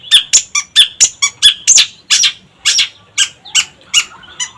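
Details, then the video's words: Vigorous long-tailed shrike song meant as a lure: harsh buzzy notes repeated rapidly at first, then slowing into spaced scratchy calls. "Pancingan Cendet Gacor"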